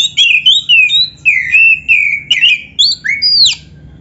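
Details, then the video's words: Oriental magpie-robin singing vigorously, with a song packed with borrowed phrases, used as bait to draw replies from other magpie-robins. Loud, clear whistled notes swoop up and down in quick, separate bursts, ending in a steep rising slide. "SUARA BURUNG KACER GACOR ISIAN JUARA ‼️ - Stel suara ini BIKIN KACER LAIN CEPAT NYAUT"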